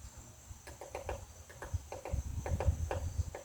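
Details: Woodpecker tapping on a butterfly house: short, sharp wooden knocks, often in quick pairs, grow louder toward the end against a steady high insect drone.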